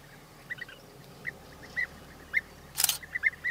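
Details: European bee-eaters giving short, rolling, arched call notes in scattered bursts, some paired or tripled, over a quiet background. A loud, sharp clicking burst is heard near the end.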